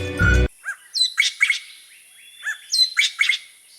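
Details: A Greater Racket-tailed Drongo at Habarana, Sri Lanka, giving a varied run of loud, ringing whistles and harsh chattering notes in two bursts, after a brief blast of music at the start.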